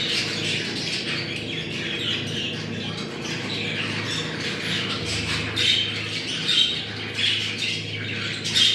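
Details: Budgerigar mating chatter to bring birds into condition: an unbroken stream of rasping, warbling notes with squeaky peaks building after 5 seconds, over a low electrical hum.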